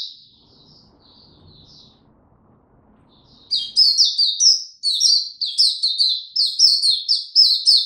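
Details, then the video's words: Oriental white-eye opening into tiong aw singing on 25 January 2022, following a late sleep: soft, scattered high chips at first, then from mid-clip a rapid, loud, rolling run of high sweet warbles, about four notes per second. "Mata Puteh Hercules V2 buka tiong aw sing"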